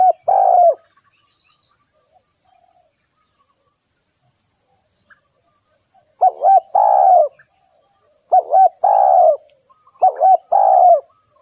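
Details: Spotted dove decoy calling to lure wild doves into a trap. One coo fragment opens, then a long silence before three quick cooing phrases, each a brief double note followed by a drawn-out falling coo.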